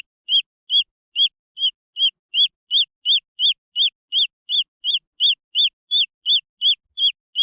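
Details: Young green junglefowl give a continuous string of sharp, high peeps, each note briefly rising and dropping, evenly spaced at close to three per second.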